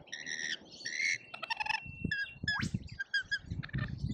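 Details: A crowd of lorikeets in a feeding frenzy at a feeder in Australia, screeching over one another in harsh, grating bursts and rapid chatter, with low thumps and scuffling underneath.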